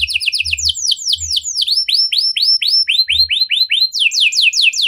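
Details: Domestic canary performing a 'cengkok mewah' style song intended to stir other canaries into song. It gives loud, bright, repeated whistled sweeps that change in pitch between several short phrases, with faint low thumps.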